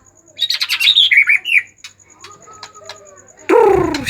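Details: Agitated white-rumped shama singing to provoke other shamas into song: a quick run of clear whistled notes with slurred, warbling phrases, then silence and a sudden loud, harsh burst at the end.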